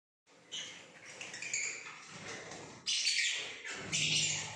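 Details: Pale fellow lovebirds, a parrot colour form, recorded in Pakistan: bursts of sharp, high chirps and squeaky twitters with short gaps, growing louder and denser toward the end.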